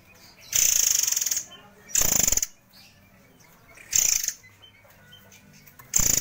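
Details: White-crowned forktail used as a model for training other birds: four short, sharp, high buzzy rattles, each under a second, spaced about two seconds apart with quiet between.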